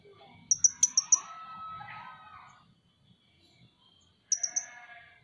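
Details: Van Hasselt's sunbird, a popular pet bird, sounding short runs of high sharp ticks, with soft fluttery noise and faint low background sounds between them.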